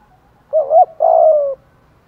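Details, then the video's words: Spotted dove decoy call meant to attract other doves: a wavering double coo running straight into a long, steady, gently falling coo. "tieng chim cu moi gay goi cu moi gay hay"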